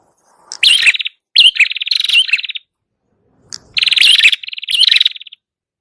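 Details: Red-headed prinia song used to lure birds: two pairs of rattling, buzzy trilled phrases with rising whistled notes, separated by a pause of about a second.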